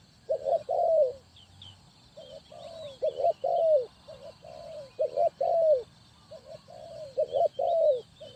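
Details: Spotted dove calling as a trapping decoy, repeating a low hooting phrase of short paired coos ending in a longer downward-sliding coo, about five phrases in quick succession, with faint thin chirps of other birds in the background.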